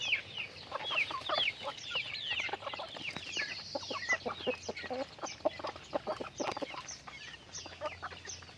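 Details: Busy group of pet chickens, dense overlapping chirps and arched peeping notes with quick clucks, calls coming several per second, a low hum faintly in the background.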